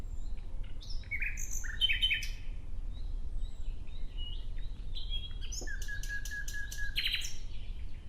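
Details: Nightingale song with varied phrases: scattered chirps and buzzy twitters, a sharp click, then a burst of rapid clicking notes over a low steady whistle, against a soft low rumble.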